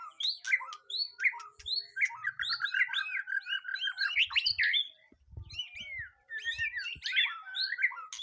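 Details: White-rumped shama in its first mental test, giving sharp high whistles, a rapid buzzy trill and bright slurred phrases, with a short break before more whistles; soft thumps in the background.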